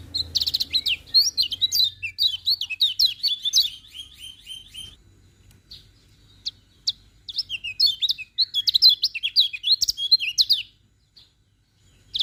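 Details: Lemon-bellied white-eye singing in the morning: rapid bursts of high, sharp chirps and twittering notes with quick rising and falling slurs, a pause of about two seconds mid-phrase, then another lively chattering run.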